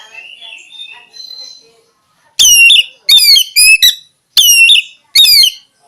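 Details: Oriental magpie-robin singing five loud, rasping, downward-slurred notes in quick clusters after a quiet start of faint, thin whistles.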